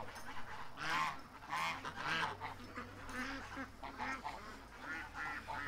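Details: Farmyard domestic geese calling toward their keeper, giving loud, brassy honks in uneven clusters, close to one per second at times, with some overlapping voices and a constant low background drone.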